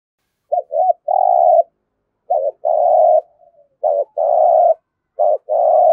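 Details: Spotted dove in Đồng Nai, Vietnam, giving competition cooing (thúc gù) in local voice style: three loud phrases, each a short broken double note then a long steady mid-pitched coo, about every one and a half seconds.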